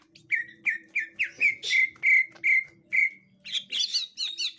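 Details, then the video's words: Captive 'gotri' green leafbird facing a young wild bird of its kind: about nine evenly spaced, clear whistled notes, then a flurry of higher squeaky chirps, over a steady low hum. "Tingkah Cucak Ijo Gotri Saat Di Temukan Cucak Ijo Muda Hutan"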